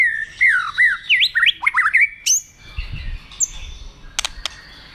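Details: White-rumped shama excited into fight-singing, flicking its tail: a quick string of slurred whistles bending up and down, ending in a high sharp note, then quieter clicks and faint notes.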